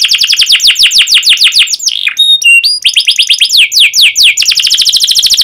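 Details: Canary in full song with long sharp 'cuit cuit' chirping: fast runs of falling whistled notes, a short pause of clear pure tones around two seconds, then more rapid descending chirps and trills.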